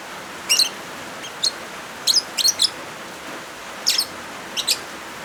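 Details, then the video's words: Lovebird chirping, mixed with rain sounds as therapy and training material for birds that stop singing: short sharp high chirps in small clusters over a steady hiss of rain. "Suara Original Lovebirds kombinasi suara hujan"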